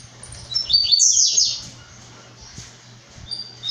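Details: {'caption': 'A brown-plumaged blue-black grassquit gives one thin, buzzy upward-sweeping phrase lasting about a second. A few faint high notes come later against a low steady hum.'}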